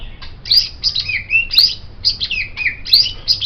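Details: White-rumped shama song meant as a master for training songbirds: fast repeated high phrases, bright upward whistles with buzzy notes, recurring roughly every second.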